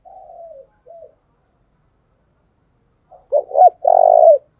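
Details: Spotted dove kept as a decoy for wild doves: a soft falling coo and short note, a long silence, then a loud run of two rising notes closing in a sustained low coo.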